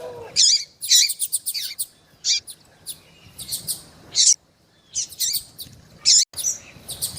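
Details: Rusty-collared seedeater female, captive, calling to excite a male. Strong, buzzy high chirps come singly or in quick pairs about every second, with short silent breaks.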